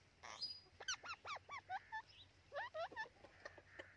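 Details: Hand-tame white Indian ringneck parakeet kept as a pet, giving a quick series of about a dozen short, hoarse, down-curving squawks in irregular bursts with brief pauses, against a quiet background.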